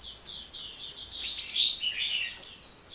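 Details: Continuous thin, high-pitched twittering from a hummingbird that keeps chattering without stopping, notes running together into a bright trill.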